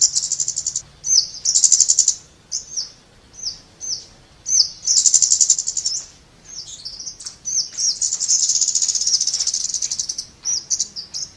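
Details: Scarlet-backed flowerpecker giving thin, very high ticking notes in short clusters, with occasional longer buzzy, sizzling bursts.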